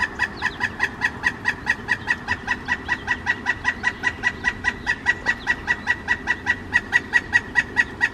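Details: A male pileated woodpecker announcing his arrival at a suet feeder beside a kitchen window gives a long, rapid run of loud ringing notes, more than twenty in a row at an even pace.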